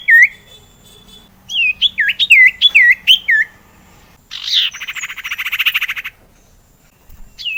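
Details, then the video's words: Lure song of the sirtu meant to get rarely singing sirtu birds calling: a string of looping, dipping whistled notes repeated about twice a second, followed by a buzzy rattling trill with scratchy overtones. "sirtu gacor PALING MUJARAB UNTUK pancingan suara sirtu JARANG BUNYI AGAR burung sirtu gacor"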